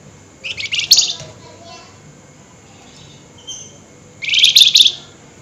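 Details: Flameback calling energetically at night, two high, buzzy chattering rattles, one early and one near the end, with a faint short note between them.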